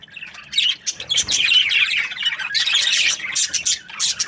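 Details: Australian budgerigar chirping: bursts of bright, high chatter and raspy warbles, many birds calling at once in rising and falling waves.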